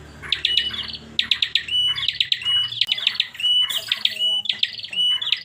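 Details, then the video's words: Bar-winged prinia, a kept bird, repeating an unusual call: quick clusters of sharp chips ending in steady whistled notes, phrases coming every half second or so, low faint hum beneath. "Suara aneh burung Prenjak"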